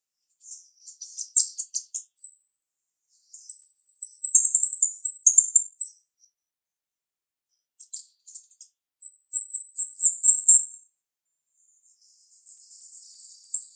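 A female Chestnut-tailed Starling sings three bursts of sharp, very high, squeaky chattering notes, each lasting a couple of seconds, with short pauses between.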